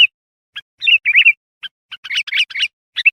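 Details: Sooty-headed bulbul lure song for calling wild birds: thin single notes lead into jumbled, bubbly whistled phrases, growing denser toward the end.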